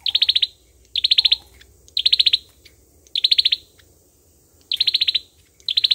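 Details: Olive-backed sunbird singing its combative song as trapping lure: five clipped, very high rattling trills separated by pauses of up to a second, plus one faint low chirp early on.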